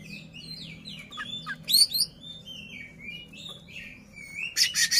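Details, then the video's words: Oriental magpie-robin (kacer) singing with its tail fanned to excite a rival, giving varied sliding whistles and warbles with one sharp loud note and a harsh chattering burst at the end. "KACER NGEPLAY BUKA EKOR BIKIN LAWAN TAMBAH EMOSI"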